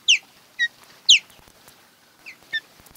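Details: Mated osprey pair at the nest on Kent Island, Maryland, recorded by a nest camera early on a June 2018 morning; loud, piercing whistled chirps, five in three seconds, each sharply downslurred and ringing.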